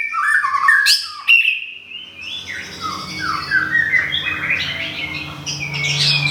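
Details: White-rumped shama from Thung Song, Thailand, moulting in a cage after a move, gives harsh squawky notes and sweeping whistles, then a long varied warbling passage, over a steady low electrical hum.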